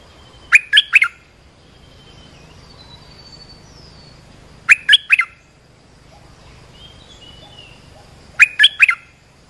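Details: Repeated three-note bubbly phrases from an olive-winged bulbul, about every four seconds, three times in all. The recording is used to train young birds and lure wild ones, and faint thin whistles fill the gaps.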